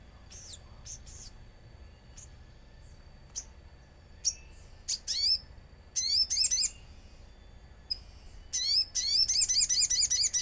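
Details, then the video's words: Common iora song used as a lure, set among nature sounds: scattered thin high notes give way to dense bursts of rapid, sharply bent chirps that grow busier toward the end, with a steady faint background hiss. "Pancingan sogon agar bunyi | sogon gacor suara alam"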